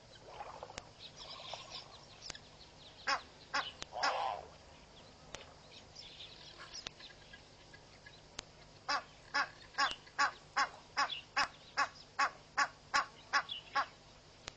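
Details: An Egyptian goose pair guarding their goslings at Pete's Pond, Mashatu Game Reserve, Botswana, on 14 January 2013 gives harsh, hoarse honks, scattered at first, then a fast series of about a dozen blaring calls; a grey heron may grumble.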